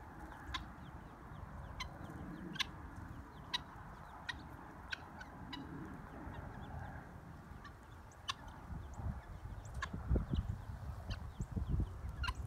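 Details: Helmeted guineafowl adults and keets out in a field hunting insects give short, sharp chipping calls at uneven intervals over low rumbling background noise.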